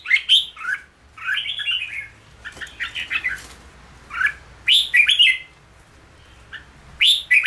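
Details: Red-whiskered bulbul being trained to sing in ché style for cafe play, delivering fast bubbly whistles, a longer rolling warble, then clusters of sharp chirps separated by short silences.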